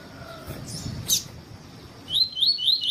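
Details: A double-collared seedeater (Sporophila caerulescens, coleiro tui-tui), song used to train and warm up other seedeaters: a brief sharp chirp, then a quick run of high, rising whistled notes, about four per second.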